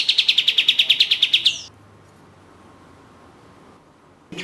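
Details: Chattering orange-spotted bulbul on a lure track: a fast train of about fourteen sharp, high, evenly spaced notes lasting a second and a half, followed by quiet and the start of another phrase.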